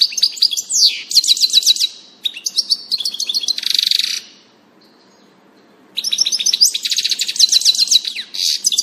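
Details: European goldfinch singing on 19 June 2018, near-continuous sprightly twittering with quick chirps, buzzy trills and slurred notes, broken by a silent pause of about two seconds before the jingling song resumes.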